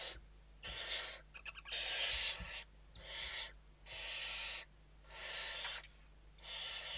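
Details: Western barn owls inside a nest during evening feeding in Spain, 29 November 2023: harsh, broadband hissing bursts about a second long, roughly six in a row with short pauses between, plus faint thin squeaks and soft rustling.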